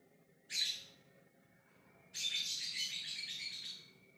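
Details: A short, shrill screech, then a long, sustained, grating chatter lasting nearly two seconds: a lovebird's ngekek call directed at other birds, with a faint constant high tone underneath.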